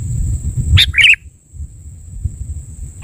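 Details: Sooty-headed bulbul lure call for bird trapping: a quick sharp note then a bubbly warbled pair, with another clipped note at the very end, over low rumble and a steady high whine.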